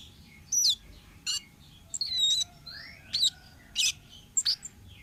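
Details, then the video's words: Lure recording of a wild orange-headed thrush: a varied phrase of bright piercing chips, wavering squeaky notes and rising slurred whistles, with a low steady hum underneath. "suara burung Kemade ngalas"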